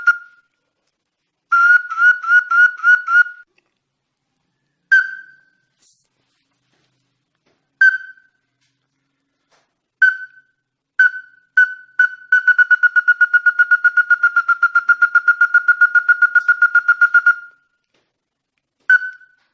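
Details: Ruddy-breasted crake giving clear, sharp whistled notes, singly and in a long, steady rapid series, used as a lure call.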